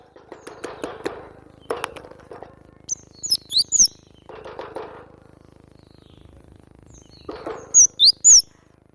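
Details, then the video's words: Cinereous tit song of high, looping whistled notes in short groups, against bursts of rustling and clattering noise. "Full gacor masteran ampuh burung glatik batu"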